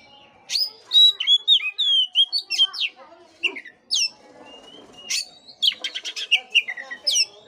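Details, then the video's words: Loud Oriental magpie-robin song, played as a lure for a sluggish bird: clear, sliding whistled notes strung together in quick succession, a short lull, then harsh rapid chatter and further ringing whistles. "pancingan kacer jitu dan ampuh buat kacer loyo kurang ber gairah.!!!"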